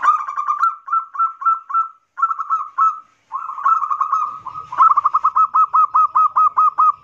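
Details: Loud 'kerot nguwor' song of a local zebra dove, played as a lure so other perkutut join in: short phrases of quick rolling coos at a steady pitch, building into a long, fast rhythmic run of evenly spaced notes.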